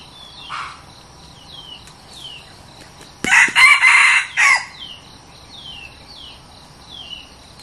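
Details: Red junglefowl decoy bird, newly brought out for trial luring of wild junglefowl, gives one loud, harsh, broken crow lasting about a second and a half. Repeated thin descending whistles from other birds and a steady insect hum continue around it.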